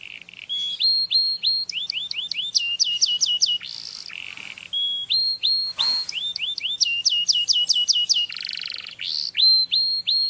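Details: Canary song offered as a tweet to teach another bird: rapid runs of clear downslurred whistles with high harmonics, broken by rough buzzy bursts and a harsh rasp, the phrases recurring over ten seconds.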